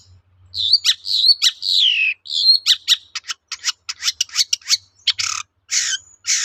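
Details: Shrike song used as a lure to make other shrikes answer: several slurred, descending whistled notes, then a rapid series of sharp chattering clicks and harsh bursts, high-pitched and clear against a quiet background.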